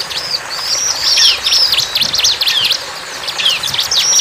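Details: Bar-winged prinia singing hard: drawn-out thin whistles mixed with a busy run of sharp, dipping chirps, ending with another steady high whistle, all over a light background hiss.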